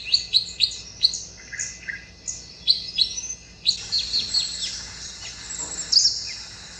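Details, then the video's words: Tickell's blue flycatcher singing high, thin, sweet notes in quick little phrases, some sliding down, repeated several times a second, over faint hum; recorded at a factory garden in Pune, India. "Bird Tickells Blue Flycatcher / निलिमा नीलमणी"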